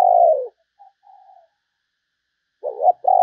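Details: Spotted dove giving a decoy call used to lure other doves: a loud low cooing note opens, soft brief coos follow, then a two-part coo closes with a steady, mellow tone.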